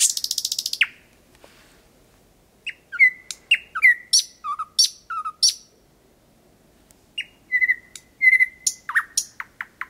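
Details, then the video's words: Thrush nightingale at 01:23 on 8 May 2020, Kiili parish, Estonia, 4–5 m away: opening rattle of rapid pulses, pause, then whistled notes, drawn-out flat whistles and sharp down-slurred clicks in irregular sequence. "Ööbik väga lähedal laulmas Kiili vallas 08.05.2020 öösel"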